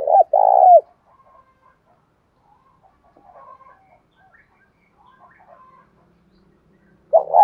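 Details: Spotted dove coo, bổi style, used to encourage a captive dove to coo: one full phrase of a short double note and a vibrating coo, then quiet faint sounds, and a new phrase beginning at the end.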